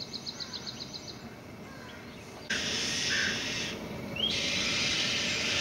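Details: Very vocal young white-tailed kites that have just learned to fly, leaving and returning to the nest: a quick run of about eight short high chirps, then long harsh, raspy screeching bursts with a brief rising whistle between them.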